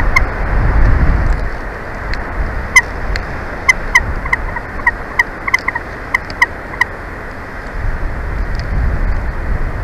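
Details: Bald eagles at their nest in Big Bear Valley, recorded by a nature cam on 26 February 2024 at 11:08. A run of short, sharp, piping notes repeats rapidly and unevenly over low wind rumble.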